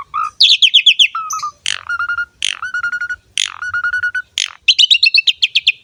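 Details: Asian pied starling singing to entice young male and female starlings: fast squeaky chatter, clear level whistles repeated several times, and sharp bursts ending in a quick trill.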